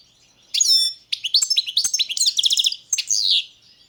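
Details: Bright, fluid song of a balcanica European goldfinch: a ringing whistled note, then fast, rhythmic twittering trills and a final buzzy phrase.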